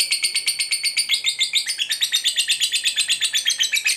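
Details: Fighter lovebird in full voice, giving the long ngekek trill used to provoke other lovebirds. Rapid, regular chattering notes, about four per second, run on unbroken for the whole stretch. The chatter is shrill and rises slightly in pitch midway.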